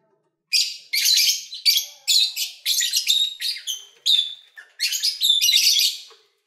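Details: Lovebirds kept as pets, caught during a February session of feeding and play, pour out continuous shrill, scratchy chatter in quick repeated bursts, each about half a second long, with scarcely any gaps.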